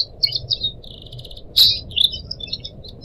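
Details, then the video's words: Pet Pied Triller on a track meant to tutor young cage birds, with trickling water: quick high chirps, a short buzzy phrase, then a sharp loud burst and twittering notes. "kicau burung decu kembang"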